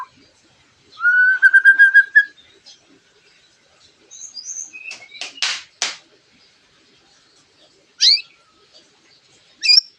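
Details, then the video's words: White-rumped shama in lovebird-mimicking song that provokes other birds to sing: a rapid trilled rising whistle, high twittering, a series of loud harsh rasping bursts, then single sharp chirps. "MURAI BATU ISIAN LOVE BIRD GACOR PEMANCING EMOSI"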